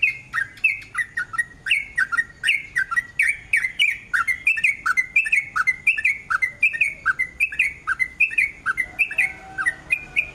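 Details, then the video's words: Lively long 'ropel' song of a sooty-headed bulbul, played as a lure to get other bulbuls singing: dense, quick chirping notes tumbling one after another for ten seconds without a break. "TRUCUK GACOR ROPEL PANJANG, pancingan trucuk agar BUNYI jadikan burung trucukan BUNYI ROPEL"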